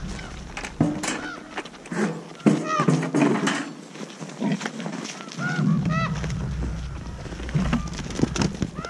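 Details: Several common ravens at a boar feeding site, calling with haa food calls that recruit other ravens. Repeated hoarse, arched, harmonic calls overlap irregularly over steady low rumbling background noise.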